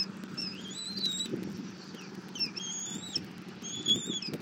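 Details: Bald eagle nest camera in Southwest Florida; during a morning feeding, the mother gives her eaglet armadillo. Slurred high whistles, some swooping upward, interspersed with short chips, over a background of low rustling and tearing.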